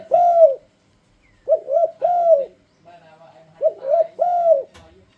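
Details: Spotted dove song used as a lure to make other doves sing along: low mellow coos, each phrase a quick double note followed by a longer arched coo, repeated about three times with short pauses, in a quiet setting.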